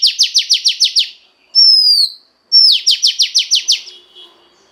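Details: Female Oriental magpie-robin voice used to stimulate a male: rapid series of seven sharp downward-sweeping notes, a clear falling whistle, then another fast run of eight to nine strokes, all loud and high-pitched.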